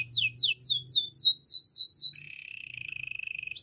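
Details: Russian canary singing a tour of bright downward-swooping whistles, roughly five per second, then switching to a low, even, buzzy rolling trill.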